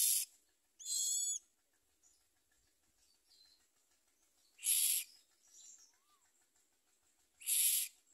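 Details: At the nest, common myna baby birds that eat little and try to bite their mother give a short, tonal squeal, then two harsh hissing rasps spaced about three seconds apart, with faint soft sounds between.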